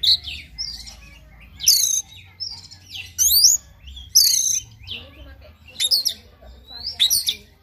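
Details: Oriental magpie-robin in morning song, meant to make another bird sing persistently; loud high whistled phrases with steep upward and downward sweeps, delivered in bursts about every second, over a faint low hum.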